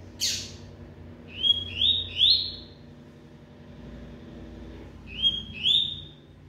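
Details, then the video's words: Moulting double-collared seedeater sings rapid phrases: one high sharp note, then three clear rising whistled notes in a row, a pause, and two more, against a steady low background hum. "COLEIRO KRIPTON, MESMO NA MUDA NAO PARA"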